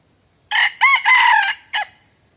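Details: Rooster crowing on a farm: a single loud cock-a-doodle-doo in four harsh, harmonic bursts over about one and a half seconds, the long middle phrase held then falling, the last a short clipped note, against a quiet background.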